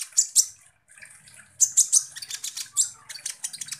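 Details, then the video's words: Kolibri ninja sunbird singing energetically, used as a lure recording to stir other birds. Two sharp high notes, a short gap, then a fast stream of bright chirps and twitters to the end. "PANCINGAN kolibri ninja GACOR"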